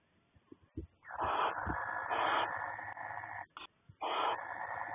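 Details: Courting male barn owl in a nest box, February 2020, who screeches to call the female in when he brings her voles before laying; a long, harsh, hissing screech of over two seconds, a brief pause, then another shorter screech, with faint clicks before.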